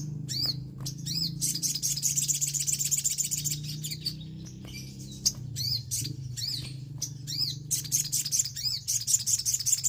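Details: Orange-headed thrush lure recording meant to provoke an untrained bird into singing: dense, fast runs of high chirping notes and repeated arched whistles, loud and nearly continuous, over a steady low hum.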